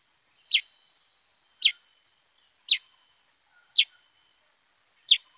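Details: Five crisp descending chip notes from a Black-headed bulbul, evenly spaced roughly one per second, with a steady high insect-like whine underneath.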